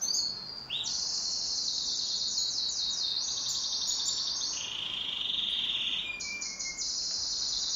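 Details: Pet canary singing in duet: continuous high song of rapid buzzy trills and rolling tours, switching between fast pulsed rattles and steady whistled runs, with a brief drop in loudness near the start.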